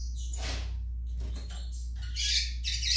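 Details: A young Yellow-bellied Seedeater (coleiro baiano) gives a sharp high chirp and a few scattered notes. A dense burst of high buzzy twittering follows near the end, with a constant low hum underneath.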